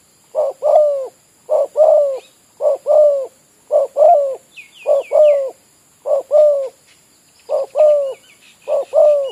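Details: Spotted dove, a village bird used as a decoy for trapping at an oil palm plot, giving low two-part coos, a short note then a longer hooked one, repeated about every second, with faint higher chirps from other birds.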